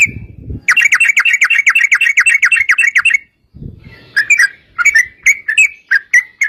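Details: Yellow-vented bulbul giving a long 'ropel' lure song to provoke other bulbuls into singing. A rapid rolling run of chattering notes is followed by scattered, spaced bubbly phrases.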